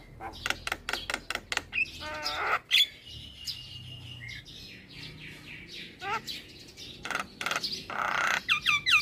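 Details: Caged young male black-winged myna delivering a varied song: a run of rapid clicks, a raspy churring burst, a long thin whistle, then short squeaky phrases and a final buzzy chatter.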